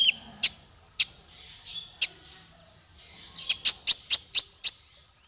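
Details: Male Van Hasselt's sunbird (konin) singing, recorded for training other songbirds: very high, sharp chirps at first, then soft thin whistles, ending in a rapid burst of six piercing ticks.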